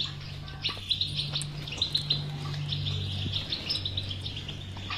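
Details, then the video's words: Goldfinch song of the batbata type, meant to make a silent goldfinch sing: busy high twittering punctuated by louder chirps roughly every second, over a pronounced low hum. "اذا لديك مشكله في حسونك انو لا يغرد لا تخاف هذه البتبته الحل وعلاج الحسون الصامت بتبته اجرام"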